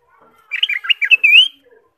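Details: Ruby-throated bulbul song of the kind used to stimulate caged birds: a lively phrase of about one second, quick warbled slurred notes followed by a bright rising whistle, and quiet otherwise.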